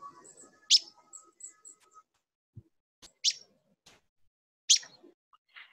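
Paddyfield Pipit giving three short, sharp, high chips spaced about two seconds apart, with faint background hum between them.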